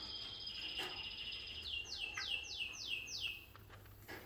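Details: A pet female budgerigar in a garden, filmed 4 September 2014, gives a high held note, then a quick run of five bright downward chirps about three per second, against a faint outdoor hush.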